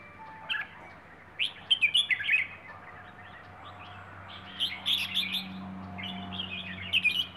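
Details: Bird from the Rayong forests delivering 'plai ho' style song: clusters of sharp chirped notes and quick warbles in three separate bursts, with quiet gaps between them and a steady low background hum.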